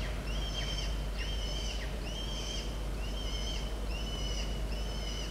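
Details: A young peregrine falcon, home alone at the nest on 3 October 2023, gives six thin, high, drawn-out chirps, about one each second, over a steady low rumble.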